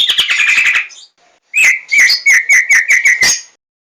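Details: A white-rumped shama sings a fast buzzy chatter, pauses briefly, then delivers a brisk run of repeated whistled notes with clicks, about four per second.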